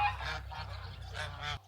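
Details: Domestic geese, a flock of over a dozen kept in a village on the Heilongjiang river at the China-Russia border, late autumn: four harsh, nasal honks in quick succession, each under half a second, over a steady low rumble.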